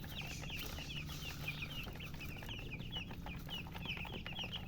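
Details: Thirsty baby chickens calling for drinking water, a flock of chicks giving rapid high peeps, each note slightly falling, repeated constantly over a low mechanical hum.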